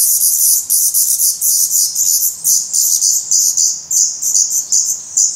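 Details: Feathered, fast-growing Black Redstart nestlings beg at their nest in Portugal on 17 May 2020: shrill, high chirps massed into a pulsing chorus, with short gaps between bursts.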